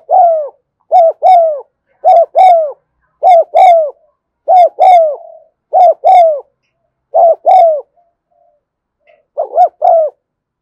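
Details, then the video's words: Afternoon recording of a spotted dove's steady 'thúc gù' cooing: mellow, gently falling hoots delivered in tight pairs, repeated roughly every second over a quiet background with no other animals. "tiếng cu thúc gù hay và liên tục"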